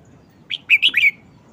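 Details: Caged Red-whiskered bulbul giving its short song phrase, sung frequently: a brisk burst of four ringing whistled notes, rising then looping downward, finished by a brief fading slur in quiet surroundings.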